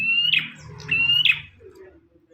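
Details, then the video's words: Bar-winged prinia giving two high, steady buzzy notes, each ending in a sharp crack, followed by quieter low sounds. "Burung prenjak tamu / prenjak omah gacor"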